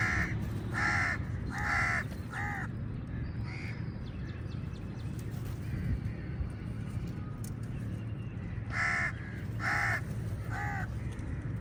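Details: Many crows squabbling with eagles over food: harsh, nasal caws in quick bursts of three or four, a pause, then another burst, over a constant low rumble of background noise.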